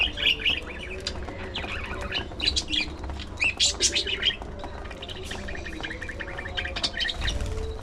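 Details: Several caged budgerigars feeding on seeds and vegetables, giving busy overlapping chirps and warbling chatter at irregular intervals, with pecking and rustling sounds and a low background rumble.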